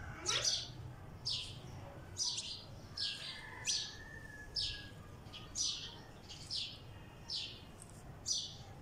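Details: A sparrow sitting on a wall in Pakistan gives bright, short chirps, about one every second, over a low background hum.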